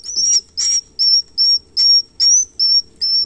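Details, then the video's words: Swiftlet chicks calling: eight evenly spaced, very high, thin whistled notes, each slightly rising with a brief raspy onset, repeated about every 0.4 seconds in a quiet setting. "suara anak piyik burung walet"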